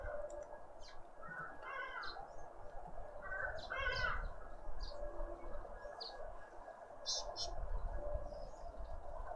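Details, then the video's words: Birds in a suburban garden in Pretoria, South Africa, near a birdfeeder: short bursts of stacked chattering notes alternating with thin high tweets, set against constant low background rumble. "sounds of South African Birds"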